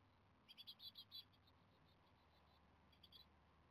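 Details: Japanese tit nestlings, 17 days old in the nest and close to fledging, begging for food: a rapid run of about six high, thin chirps, then a shorter burst of similar squeaks after a pause, over a quiet, steady background hum.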